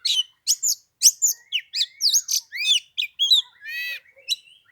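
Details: Oriental magpie-robin on the third day of Lunar New Year in 15-degree cold: a fast, continuous string of loud, sharp chips and curling whistles, with one buzzy harsh note near the end.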